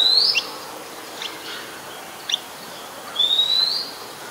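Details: Oriental magpie-robin (Copsychus saularis), a very common resident, sings in Ubon Ratchathani, Thailand, 17 July 2021: clear high whistles, a bright opening phrase, a few thin upslurred notes, then a long sweet sliding whistle.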